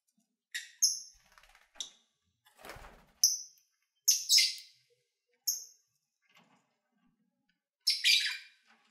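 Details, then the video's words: Captive lovebirds chattering during feeding and play in February 2019: scattered high chirps and thin whistled notes spaced a second or so apart, a rustling scrape midway, and a loud harsh burst near the end. "1 Hour Lovebird Sounds"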